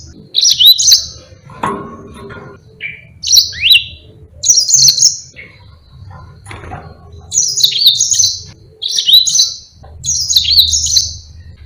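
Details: Long song of a Yellow-fronted canary used to train other birds: repeated bursts of high, rapid twittering and whistled sweeps about every second or two, with faint low hum between phrases.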